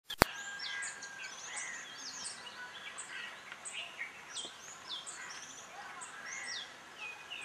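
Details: Blossom-headed parakeets calling in Sattari, Goa: a steady chatter of short, high, curved squeaky notes from several birds, opening with one sharp click, over soft outdoor background noise.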